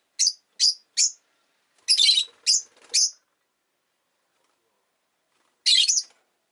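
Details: Pair of rosy-faced lovebirds sitting together at the entrance utter a quick series of sharp, high chirps, then fall silent before one more rough burst near the end.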